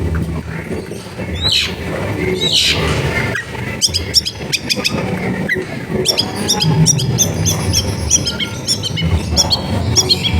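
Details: Singing long-tailed shrike used as a lure for silent shrikes, recorded at a home in a crowded neighbourhood. Scattered sweeps, then a long run of rapid, high chattering and ticking notes over low background noise.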